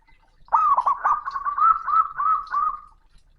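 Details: Male zebra dove calling a rival, loud and booming: a long phrase of quick rolled hoots running into a string of about seven gliding, softly rising coos lasting over two seconds.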